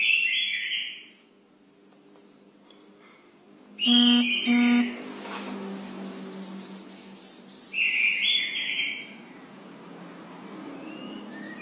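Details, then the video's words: Brown cililin in persistent song: short bright whistled bursts at start and near eight seconds, with two loud knocking bangs in the middle and faint higher chirps between. "Cililin Coklat Gacor Ngotot"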